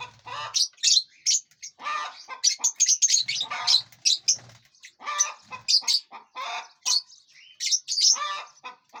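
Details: Lovebirds eating seeds, fruits and vegetables and flying in a large aviary give dense, shrill chirps and squeaky twitters. Several birds call at once in rapid overlapping bursts, mixed with soft low flutters of wingbeats throughout.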